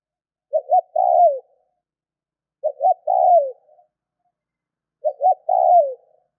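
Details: Spotted dove call used as a stimulus for other doves: three phrases, each a quick two-note coo leading into a longer croo that falls away at the end, separated by two-second silences.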